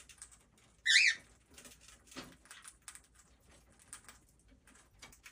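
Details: Conure beside its owner, wanting to eat: one loud, harsh squawk with a wavering, zigzag tone early on, then soft scratchy rustling and light pattering.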